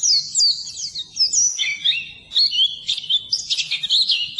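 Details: Pleci, the Oriental white-eye, singing a training recording meant for birds that will not sing: continuous fast, high twittering with quick rising and falling whistles and buzzy trills, no pauses.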